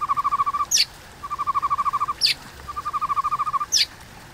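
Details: 'Kéo thuốc lào' phrase from a white-rumped shama's fighting song: three rapid bubbling rattles of even mid-pitched pulses, each ending in a sharp falling high whistle, repeated about every one and a half seconds.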